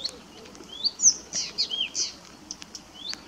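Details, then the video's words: Blyth's reed warbler at RSPB Middleton Lakes, 18 June 2021, giving a lively run of high chirps, sweeping slurred whistles and buzzy notes in quick succession, then a brief pause and one more rising whistle. "Blyth's Reed Warbler"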